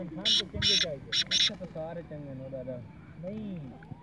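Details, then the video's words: Black francolin giving four loud, harsh, grating notes in quick succession over about a second, with low human voices murmuring underneath and afterward. "Kalay teeter ki awaz//black francolin"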